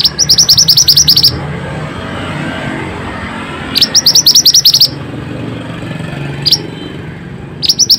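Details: Actively singing Pied bushchat, a lure for lazy or stressed birds: rapid bursts of identical high upturned chirps, each burst about a second long, with single chirps between them and a steady low hum underneath.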